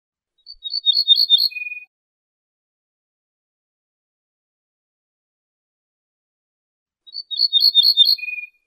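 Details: Ortolan bunting, a wild bird, singing two identical phrases about six seconds apart: a short series of high repeated ringing notes followed by a single lower, drawn-out note. Silence surrounds the phrases.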